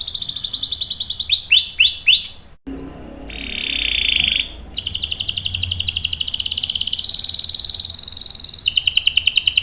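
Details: Long canary roll for luring and tutoring young males: high pulsed trill, a few swooping notes, a brief lower buzz, then an extended bright rattling trill running to the end.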